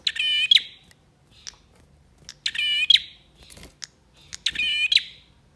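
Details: Male bar-winged prinia singing to stir silent birds into song: three loud buzzy, rasping phrases with layered harmonic bands, each ending in a sharp high note, spaced about two seconds apart in a quiet setting.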